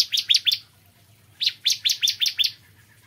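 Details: Morning singing by a bar-winged prinia: three sharp slurred chirps, a short pause, then a quicker run of six, all high and bright above a faint hum.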